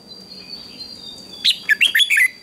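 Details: Red-whiskered bulbul singing in a morning contest, giving one quick phrase of clear, bubbling whistled notes after a quiet start with a faint high steady tone.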